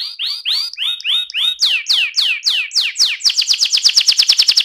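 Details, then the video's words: AF canary performing a ngerol rolling song. Loud downward-sweeping whistled notes come first, then fuller slurred phrases, ending in a rapid, even trill of bright chirps. "kenari AF ngerol"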